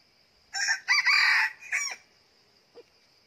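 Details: Red junglefowl decoy rooster, used out of season to lure wild junglefowl into a trap, gives one harsh multi-part crow lasting about one and a half seconds, ending on a falling note, over a steady high insect-like whine.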